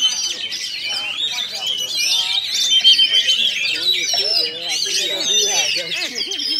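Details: At a bird contest in Kinali, West Pasaman, a first-placed Oriental magpie-robin delivers continuous high, varied song of rapid chirps and rising whistles, with crowd voices clearly audible below.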